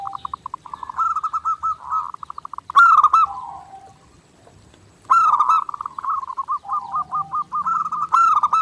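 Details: Continuous zebra dove singing for bird training: fast trains of clipped pulsed notes build into rolling, warbling coo phrases, a quiet gap mid-clip, then a loud renewed burst of stuttered cooing.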